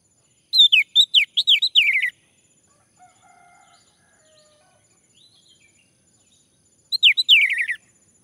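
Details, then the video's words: Male orange-headed thrush singing as a lure to make others sing: a fast string of about eight high whistled notes sliding downward, a quiet gap with faint low sounds, then a second rapid descending run. "Anis merah jantan, agar bunyi"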